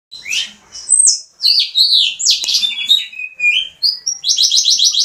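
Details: Pet Mexican house finch, said to be ready for mating, sings a long, bright warble of quick slurred notes, ending in a fast run of buzzy repeated phrases. Nothing else is heard.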